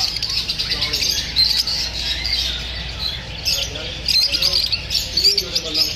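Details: A flock of lovebirds reacting to feeling unsafe from filming, giving rapid shrill chirps and occasional harsher squawks that pile into a continuous twittering din.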